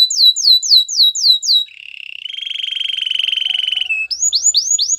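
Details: Singing canary on a training recording: five quick down-slurred whistles, then a long even buzzing trill. Fast rising whistled notes resume at the end.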